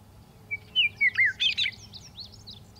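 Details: Western meadowlark delivers a bright, liquid phrase of five loud, fluty slurred notes, each rising or falling, followed by fainter quick twittering notes, with a steady low hum beneath.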